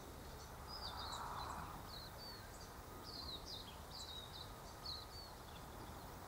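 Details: White-eared honeyeater feeding on redbell kalanchoe nectar, giving a quick run of high, thin chirping notes, roughly four a second, some slurred downward, over soft background hiss and low outdoor rumble.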